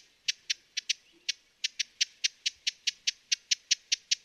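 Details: Cynanthus latirostris, the broad-billed hummingbird of western North America, repeating brittle, snapping chip calls, slower at first, then quickening into an even series of about five per second. The surroundings are otherwise quiet.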